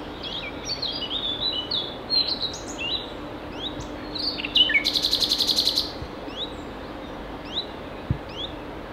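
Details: Singing common nightingale at Ostravice, Ostrava, Czechia, 27 April 2019 late morning, filmed on a Panasonic Lumix GH5: varied chirps and slurred whistles, then a loud buzzy rattling trill lasting over a second, followed by quieter upslurred notes.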